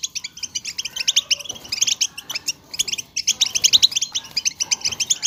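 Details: Several European goldfinches twitter as a group in a chatter meant to excite other goldfinches into singing; fast, liquid chirps crowd together continuously, with a short lull near the middle.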